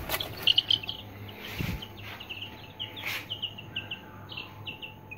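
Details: Three-day-old Aseel chicks peeping: short high downslurred cheeps scattered through the moment, some overlapping, with a couple of soft thumps and a faint steady hum in the background.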